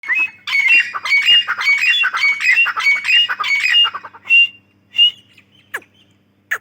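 A female grey francolin gives a loud burst of harsh, squeaky notes, about three seconds of rapid chatter, then a few single shrill notes.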